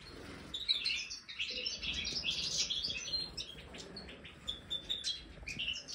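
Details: A Major-type European goldfinch kept in an aviary, offered marigold as a snack, pours out a bright jangling twitter. Dense runs of high chirps are broken by a short pause, then sparser notes resume.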